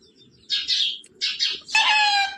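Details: A talking parrot imitates human words: paired breathy syllables followed by a drawn-out, richly layered vowel-like sound. Nothing else is heard.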